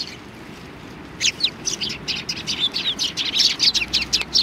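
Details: Sparrows coming to be fed at a Tenmangū shrine on 25 November 2020; after a quiet second, a flurry of short, high chirps from several birds overlaps steadily, bright and sharp, rising to a busy chatter by the end.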